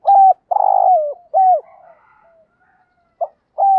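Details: Spotted dove used as a caller to draw in wild birds at morning, giving a sustained coo, a long vibrating coo that slides downward, another level coo, then quiet before the next phrase starts.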